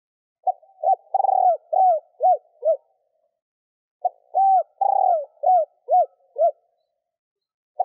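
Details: Female spotted dove cooing to stimulate males: two mid-pitched phrases, each of about six short arched coos with a longer, rough, pulsing note early on, separated by a pause of over a second.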